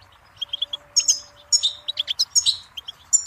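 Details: Goldfinch in a lively, twittering song of quick tinkling and chirping notes, some high and sharp, others lower and buzzy, delivered in bursts with brief gaps and a faint steady low hum underneath.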